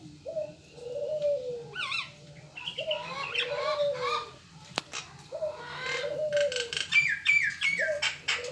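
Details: Local collared dove giving low, soft coos in rounded phrases, repeated several times, with high chirps and tweets of other small birds overlapping throughout.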